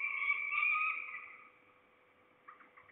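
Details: One of at least two falcons near Trzebież, Poland, 2 September 2019 in the afternoon, gives a long, drawn-out whining note lasting over a second that fades away, followed by faint chattering.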